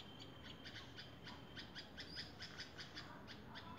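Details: Red-vented bulbul delivering a brisk string of sharp, clicking chip notes, several each second, over a steady hissing background.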